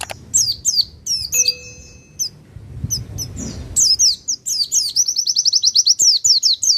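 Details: Pacitan white-eye, a master song meant to stir other birds: scattered high chirps and a thin steady whistle give way to a fast, rattling series of closely packed notes in the final seconds.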